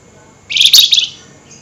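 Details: Flameback, lively and excitable, calling at night: one brief, shrill, rattling chatter burst lasting under a second, harsh and high-pitched, in an otherwise quiet setting.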